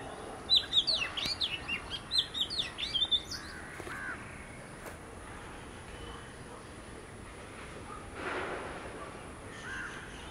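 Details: Oriental magpie-robin, one of a pair visiting, pouring out a fast, loud burst of high whistled and chattering notes for about three seconds, then falling silent apart from faint background noise.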